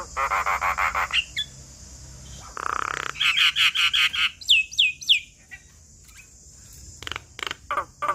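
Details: Javan myna (jalak kebo) singing a full, varied song, used for tutoring young wild-caught birds. Harsh rasping pulses alternate with rapid chattering bursts and a few clear falling whistles, and the phrases change every second or two.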